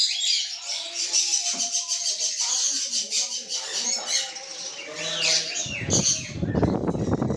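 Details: Pet Indian ringneck (rose-ringed) parakeet, a talking parrot, at play: quick high chirps and squeaky speech-like phrases, ending in a burst of rustling and wing flutter.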